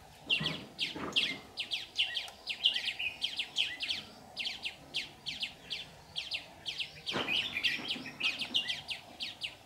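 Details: Red-whiskered bulbul used as a trapping decoy, singing to lure wild birds into a trap, 15 July 2019; rapid series of bright, chirpy whistled notes in quick bursts, each sliding downward, with a few soft thumps.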